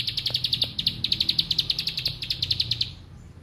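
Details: A bar-winged prinia sings the lato-lato-like 'bren' song: quick high clicking notes in a short series, slightly uneven, fading out at the close.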